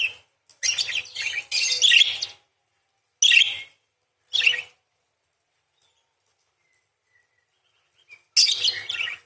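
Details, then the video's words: Gacor parakeet in fighter form delivering 'beset' and 'nyerecet' material; a two-second run of raspy, scratchy chattering, then two brief harsh chirps, a long quiet gap, and another buzzy chattering burst. "PARKIT GACOR !! full materi nembak panjang beset crecet roll basic dasar murai // parakeet bird call"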